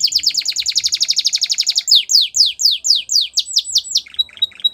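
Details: Canary song offered for training young canaries: a fast buzzy trill of rapid repeated notes, then a series of loud descending whistled sweeps about four per second, ending in a short high steady note.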